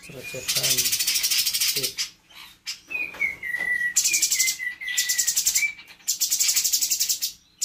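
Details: Captive spotted blue-winged leafbird learning mimicked fills. Harsh buzzing bursts frame a run of falling whistled notes given in quick succession, with low rasping notes near the start.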